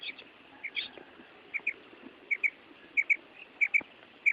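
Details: Female quail uttering quick clipped double notes, evenly spaced about every half to two-thirds of a second, over a steady hiss of background noise.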